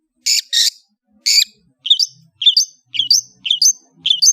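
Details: Long-tailed shrike singing: three harsh, broadband rasping bursts, followed by quick, paired, whistled chirps that leap upward and repeat roughly every half second, over a quiet background.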